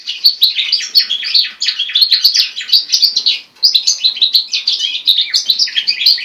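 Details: Goldfinch × linnet hybrid, a cage-bred mule, singing a continuous fast twittering song of dense chirps and trills between high notes, with brief dips and no other sounds.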